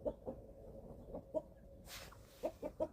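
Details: Chicks aged eleven weeks at feeding time on a family farm in Germany, a few quiet spaced clucks amid low background noise and a brief burst of rustling.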